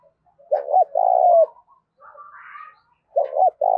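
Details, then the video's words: Spotted dove, 'thúc đấu' contest calling, 'thổ pha đồng' voice. A low phrase of a double hoot and a long falling coo, then a brief higher soft warble, then another phrase begins. "Tiếng chim cu gáy thúc Đấu cực gắt giọng thổ pha đồng bổi"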